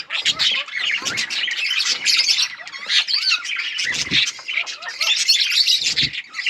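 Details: Bright-coloured budgies chatter in dense high warbling with squeaky whistled slides and harsh squawks, broken by a few low thumps.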